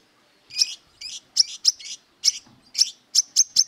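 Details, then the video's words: After half a second of silence, an aggressive brown-throated sunbird seeking a rival begins sharp, high chips and softer buzzy notes, spacing them irregularly and then speeding up toward the end. "Burung Kolibri Kelapa Wiceh Gacor Beset Tarung Mencari Musuh"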